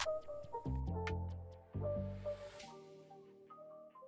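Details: Soft mallet-percussion music with low sustained tones and light ticking notes, with no animal voice.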